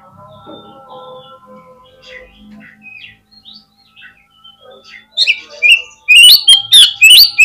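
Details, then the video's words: Oriental magpie-robin lure song played to provoke replies and tail-spreading; quiet scattered chirps and low tones build into a loud final run of sharp, rising and falling whistled phrases. "PANCINGAN KACER INI BIKIN CEPAT RESPONESHIFT || AUTO RAJIN BUKA EKOR GAMPANG NYAUT"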